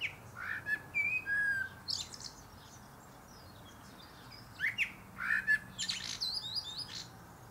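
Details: Male common blackbird singing atop a pear tree, delivering relaxed fluted whistles followed by high chattering twitters, a quiet gap, then a second burst of scratchy high notes.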